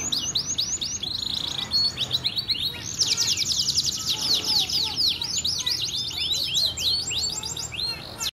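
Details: Male canary delivering a long, dense gacor song, sweet and continuous: fast trills and rapid repeated high whistled notes, some buzzy, run together with barely any pause, over a faint low background hum.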